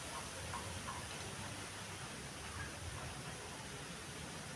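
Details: Steady broadband hiss like rain or rumbling traffic fills the recording, with no animal voice.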